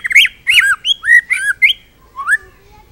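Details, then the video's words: White-rumped shama song with full repertoire for training other birds: a string of harsh, squawky slurred notes, bending up and down, fading to a single rising whistle. "murai full isian cocok buat MASTERAN"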